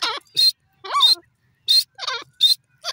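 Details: Grey francolin giving a rapid series of loud, harsh, grating notes, some with descending lower-pitched parts, spaced by short gaps in a jerky rhythm.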